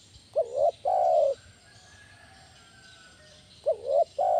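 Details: Big-voiced spotted dove lure call, 'kuk 1' style, used to draw in and train other doves: one full cooing phrase, a short wavering note and a long coo, then a pause and the start of the next phrase.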